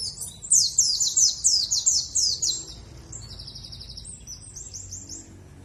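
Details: Lure song of a Dakun warbling white-eye from Bondowoso, East Java, meant to make birds sing along: a burst of quick, piercing, downward-sweeping chirps repeated about four per second, followed by softer high twittering trills and light background rumble.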